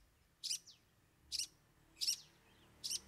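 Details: Cendet, the long-tailed shrike, in 'bongkar 3 isian' song. Four loud, rasping notes, each under a second apart, one followed by a soft downslurred whistle.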